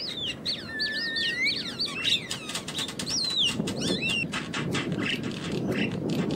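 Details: Wild Javan myna giving a tumble of wavering, slurred whistles and a long rising note, followed by sharp clicks and sporadic chirps over low rumbling background.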